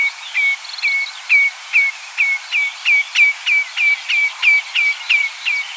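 A Common Redshank gives a rapid run of about fifteen clear, slightly down-slurred 'tew' whistles, roughly three per second, at a steady pitch over faint background noise.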